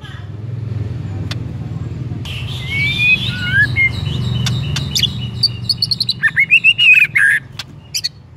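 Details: White-rumped shama song used as a lure for another shama: soft drawn-out whistles early, then sharp clicks and a lively burst of loud warbled, twittering notes near the end, over continuous low rumble.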